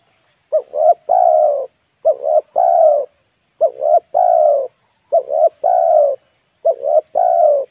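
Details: Five regular cooing phrases from a spotted dove used to lure wild birds, each two quick notes and a drawn-out low coo, spaced roughly one and a half seconds apart, with a steady thin high whine.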